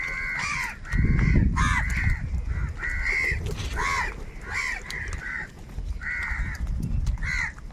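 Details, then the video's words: A large flock of crows squabbles over food. Rough, nasal caws come in quick succession, several birds overlapping, with short pauses between bursts over steady low background noise. "kaka sound and noises of crow birds | Huge numbers of crows crowing and crying sounds"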